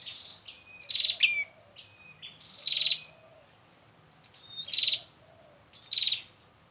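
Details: Prinia call used to lure birds into traps: high, pulsed buzzy bursts mixed with thin stepped whistles, in four clusters spaced about two seconds apart over soft low hum.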